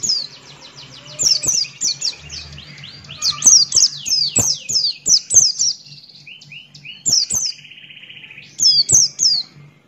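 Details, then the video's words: Buxton's white-eye in vigorous 'ngalas' song: long rapid run of high, falling chirps, then a lower buzzy rattling trill, followed by short clusters of three sharp chirps; faint low hum throughout. "Burung Pleci Buxtoni Gacor Ngalas Buka Paruh"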